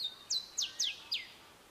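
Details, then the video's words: Male grey sunbird singing its short, sharp phrased song: four quick, high, sharply descending slurred notes spaced about a quarter second apart, then a brief trailing note, over a quiet background. "Grey Sunbird singing"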